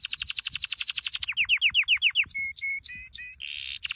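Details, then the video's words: Canary training song with varied phrases: a rapid high trill, a run of loud falling slurred notes, two short flat whistles, then sharp upswept notes and a buzzy burst. "Your canary will NEVER STOP SINGING With this training song"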